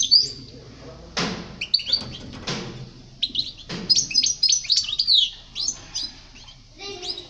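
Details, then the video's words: Goldfinch singing in a 2020 tutor recording meant to teach young birds: fast, high twittering phrases and sharp chirps, with three loud knocking thuds near the start. "Chant chardonneret pour les jeuns لتعليم صغار طائر الحسون"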